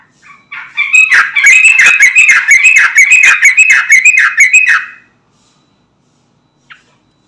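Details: Yellow-vented bulbul singing gacor-style, a lure meant to make other bulbuls answer: after a soft opening note, about four seconds of loud, dense, bubbling chatter with rapid warbled notes, then silence and one short chirp.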